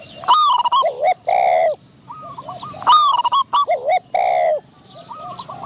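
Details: Spotted dove used as a decoy in trapping, facing a wild bird with a medium-pitched voice: loud ringing coos with bent, rising-and-falling notes and buzzy harmonics, sounded in two bursts about three seconds apart.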